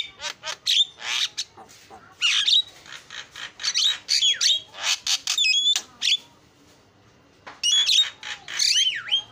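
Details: Javan myna singing in lively bursts: scratchy harsh notes, clicks and sharp whistles, with a quieter gap before a final run of looping whistled phrases.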